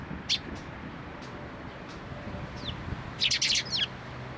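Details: Sparrows coming to a post to be fed at a Tenmangu shrine on 2 May 2023: one short bright chirp early, then a quick burst of five sharp high chirps near the end, with faint thin notes between over soft background hiss.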